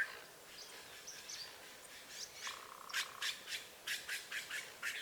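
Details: Azure jay, a free wild bird fed at a country smallholding: after quieter chatter, a quick run of loud, harsh, evenly spaced calls, about five per second, with a steady whistled tone underneath.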